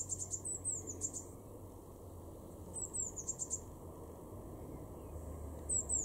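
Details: Garden in Weener, East Frisia, Germany, April 2021: a Eurasian blue tit repeats very high phrases of quick even notes and short descending slurs, with a steady low rumble of background noise throughout.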